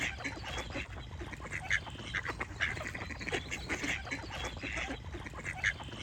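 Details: Continuous chorus of duck quacks over chirping birds: short, raspy, nasal notes repeated several times a second and overlapping, with brief bright chirps scattered throughout and steady background noise.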